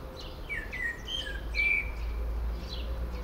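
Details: Common blackbird singing from a favourite Port Orford cedar while a second bird listens; short fluty whistled phrases sliding down, then a clear bright whistle and faint high twitters, with soft low steady tones behind.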